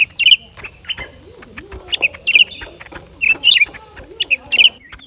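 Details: High, sharp chirps and twittering phrases from a lesser green leafbird, repeated in quick bursts, over a low wavering murmur in the background.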